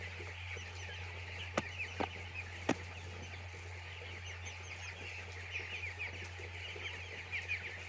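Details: Crowd of farm chicks peeping in a lively, overlapping stream of short high chirps, with a low steady hum and a few sharp taps or clicks.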